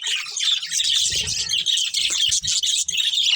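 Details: Budgerigars from a breeding colony chirping continuously: dense, high, scratchy twittering and warbles fill the whole stretch, with several birds overlapping and no pause.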